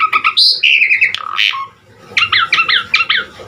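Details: Asian pied starling, locally jalak suren, singing 'gacor' with unique variations for training other birds: nasal squawks and slurred whistles, a brief quiet, then four or five rhythmic doubled chirps in quick succession.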